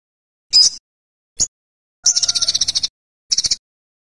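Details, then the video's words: Olive-backed sunbird giving a few short, very high sharp chips, then a quick buzzy trill of about a dozen rapid notes, followed by another brief high trilled burst, with silent gaps between the phrases. "Olive_backed Sunbird | Bird sound lovely"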